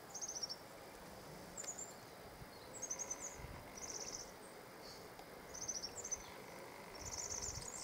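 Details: European serin males sing short, high, tinkling trill bursts repeated every second or so, each brief and glassy, over constant low background hiss.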